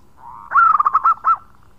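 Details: A single khong song phrase from a vocal local zebra dove calling companions: a soft lead-in note, then a loud burst of rapid, bubbling pulsed coos.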